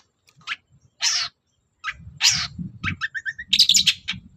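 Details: Long-tailed shrike in morning song meant to provoke other birds into replying: a few scattered sharp chips, a loud raspy note, then a busy run of varied chattering and ringing high notes, with a low hum underneath.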